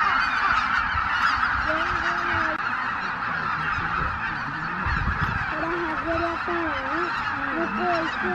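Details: Greater white-fronted geese, over 83,000 birds, leaving their roost at dawn at Miyajima-numa on 23 April 2017 in poor weather, filmed on a compact camera: a dense roar of massed calling with clear, wavering honks rising and falling through it.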